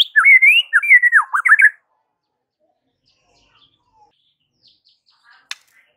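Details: Morning song of a white-rumped shama aimed at stirring rival shamas to respond: a burst of twisting, looping whistled notes under two seconds long, then near silence with a faint click.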